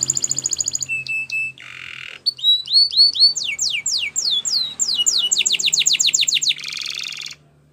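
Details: Spanish Timbrado canary singing a training song: fast metallic trills, a buzzy burst, then series of sweeping downslurred whistles that speed up into rapid rolling notes and end in a harsh buzzy phrase, with a faint low hum.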